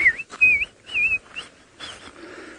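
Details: Helmetshrikes, unusual there, give a run of clear, wavering whistled notes, each rising and falling, in quick succession. Heard on a late-afternoon safari drive in Djuma, Sabi Sand, South Africa, on 3 February 2018.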